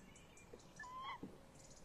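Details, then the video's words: Tawny owls on and around a nest box on a late evening, 30 May 2015; one drawn-out, gently rising call swelling toward its end, followed by a soft knock, against low steady hiss. "Bosuil M in de kast V buiten uilen lang te horen"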